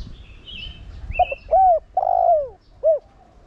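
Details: Spotted dove cooing in 'Thổ Đồng' voice as a decoy to stimulate other doves; clipped notes, an arched coo, a long falling buzzy coo and a brief final note, with higher chirps from other birds before it.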